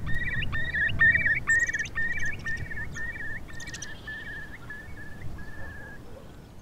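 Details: A Eurasian Curlew gives its classic bubbling call, clear whistled notes quickening into a rippling trill and fading against low wind rumble, made on spring arrival during the breeding season to establish territory, often in flight over it.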